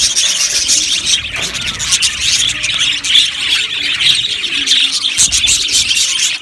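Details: A crowded budgerigar colony in an aviary fills the air with steady high twittering, interrupted by sharper squeals and quick chirps from several birds.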